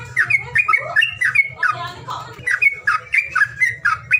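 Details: Lure calls for birds that will not sing: rapid, uneven series of squawky, slurred chirps with some whistled upslurs, roughly four notes a second, backed by a droning low hum.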